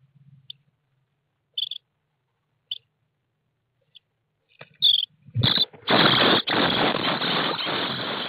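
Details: Starling nestlings in a nest box with an internal IP camera, 24 May 2017: a few thin, isolated squeaks spaced seconds apart, then a sudden loud, sustained raspy hissing chorus.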